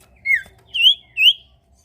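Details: Lively sirtu bird, whose song is meant to prompt other birds to sing, gives three clear whistled notes: one falling, then two rising, about half a second apart.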